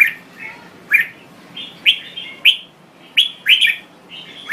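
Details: A red-whiskered bulbul of Thai stock sings repeated short, bright chirped phrases roughly every half second to second, each note swooping down in pitch, steady and lively over faint hum.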